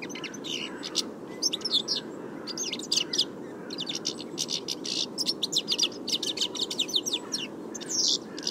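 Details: European Goldfinch (Carduelis carduelis) singing: a fast, tinkling twitter of bright chirps and short buzzy trills in quick bursts, with brief pauses between phrases, over a steady low background rumble.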